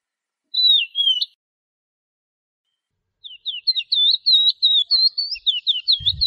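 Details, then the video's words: Eurasian skylark song: a short whistled phrase, a pause, then a fast continuous stream of high warbled, looping notes with brief low thumps at the end. "تغريد طائر قبرة الحقول(القوبع) Chant de Alouette des champs"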